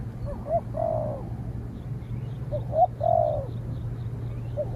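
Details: Spotted dove in a training session, answering a wild rival dove that fights from afar before being driven off. Two hoarse cooing phrases about two seconds apart, each with short introductory notes and a drawn-out falling coo, over a low steady hum and faint insect pulsing.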